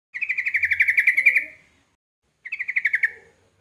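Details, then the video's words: Sooty-headed bulbul of the kebo type, with a loud voice, giving two bursts of rapid, evenly pulsed chattering notes. The first burst lasts over a second, the second is shorter, with a silent gap between them. "trucuk kebo suara lantang, auto gacor"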